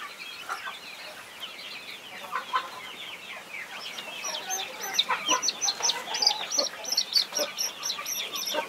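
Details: Mother hen guarding her 21 young chicks on a farm; dense, rapid high peeping from the many chicks fills the scene, with a few lower clucking notes scattered through, growing louder and busier in the second half.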